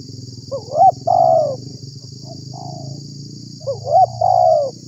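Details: Spotted dove calling as a lure for wild doves: two coo phrases, stuttered opening notes then a long descending coo, heard over a broad low rumbling background and a steady high hiss.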